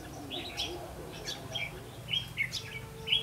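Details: Red-whiskered bulbul, a decoy bird used in trapping, recorded 8 October 2016; short warbled phrases around the middle pitch range come in bursts roughly once a second, with faint chirps of other birds and a low background hum.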